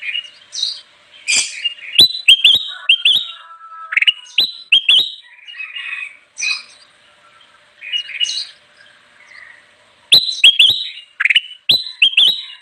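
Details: Actively singing kutilang emas bulbul, a recording meant to lure wild birds: repeated runs of crisp clicks and bright whistled phrases, interspersed with rough chattering notes, with short pauses between phrases.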